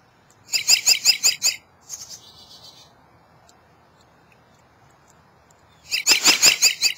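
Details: A robin on a birdbath singing two different songs: two bursts of about six quick, high, bright notes, four seconds apart, with a short buzzy phrase between.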